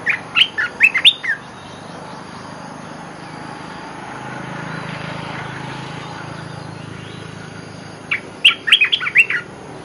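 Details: Olive-winged bulbul lure song: a burst of chirpy, bubbling notes opens and another closes the stretch, with a low rumbling noise like a passing vehicle swelling in between.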